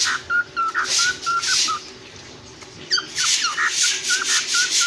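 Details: Cockatiel parrots giving a run of short, clipped whistled chirps at a steady pitch, then after a brief pause a louder stretch of chirps and rough, raspy bursts.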